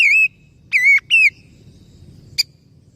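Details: Oriental magpie-robin whistles intended to restart a stressed bird's singing: three loud, pure, gently falling whistles in quick succession, then a single short click.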